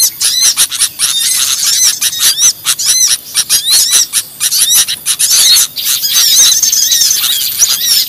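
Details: Small birds in a lure recording, chattering densely and almost without pause. Rapid high ticks and twittering notes overlap, with brief short whistles scattered through the busy chorus.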